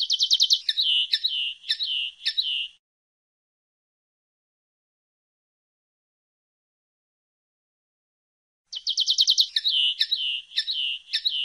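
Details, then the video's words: Twittering common linnet song, heard in two bursts about six seconds apart. Each burst opens with a fast buzzy trill and runs into rapid, slurred chirps, with silence between. "El Canto del Pardillo"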